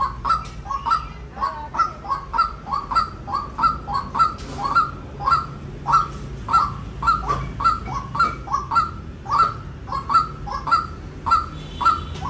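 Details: White-breasted waterhen delivering a long, persistent string of clipped, ringing notes, near two per second, with steady low background hum.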